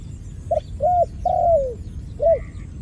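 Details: Dove giving a cooing phrase: two short hollow coos, then a longer coo sliding downward, followed by a single short coo. Quiet low rumble underneath, with faint high chirps from other birds.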